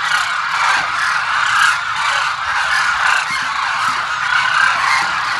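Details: Large gathering of Demoiselle cranes at Kheechan, Jodhpur district, Rajasthan; continuous massed chorus of rolling, trumpeting honks, with irregular louder bursts rising above the constant flock din.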